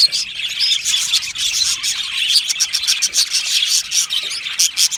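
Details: Happy singing and chirping of Australian budgies, many voices blending into a busy, unbroken warble of squeaky trills and clicking tweets, with brighter chirps popping out repeatedly above the steady chatter.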